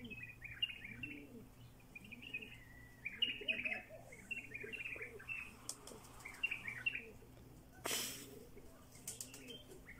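Bright, chirpy bulbul calls repeat in quick bursts high above a steady run of low, arching coos, with a brief rush of flapping wings.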